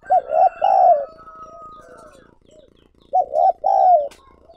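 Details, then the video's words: Spotted dove kept as a calling lure for wild doves, giving loud phrases of two quick arched coos and a longer falling coo, with softer fainter coos from another dove between phrases. "Chim Cu Gáy Mồi Gáy Gọi Thúc Kích Bổi Mới"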